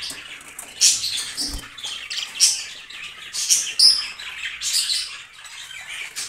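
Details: Yellow, blue and green budgerigars, a breeding pair, chirp and warble in bright, high, scratchy bursts, with short sharp notes scattered through the clip.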